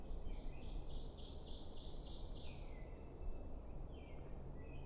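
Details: A Pine Warbler sings in sunny, windy New England pine woods, a quick, even trill of about a dozen sweet, slightly slurred notes swelling in volume over two and a half seconds, over steady low rumble.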